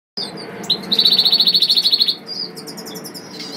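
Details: Agate-coloured Major goldfinch singing in an aviary: a few high twittering chirps, then a rapid buzzy trill of evenly repeated notes lasting just over a second, followed by softer tinkling notes, with low background rumble.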